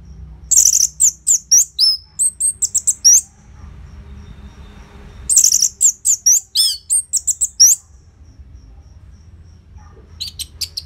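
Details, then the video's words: Orange-headed thrush belting out rapid phrases of sharp, high chirps and twittering notes in two long bursts separated by silence, a recording meant to trigger caged birds to sing; low background hum. "Pancingan & Masteran ANIS MERAH Gacor Jeda Rapet Suara Keras || Burung Macet Pasti Ikutan Bunyi."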